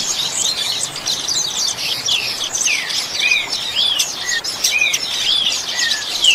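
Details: Double-collared seedeater singing in the Brazilian 'chuva' song style, used for training captive birds: a dense, rapid, high twittering run with short, clear slurred whistles repeated about every half second, over a steady hiss.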